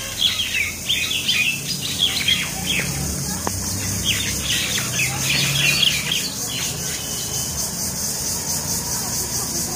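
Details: Common mynas in a fight at Talepur, Kalatia, Keraniganj, Dhaka, Bangladesh; bursts of overlapping squawks and chattering notes, with a brief click midway.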